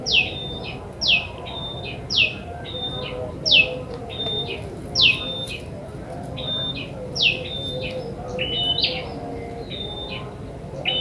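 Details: Ashy tailorbird from the wild, recorded as a lure for catching birds: sharp notes that drop from high to mid pitch, each followed by flat whistles, repeated about once a second over faint background noise.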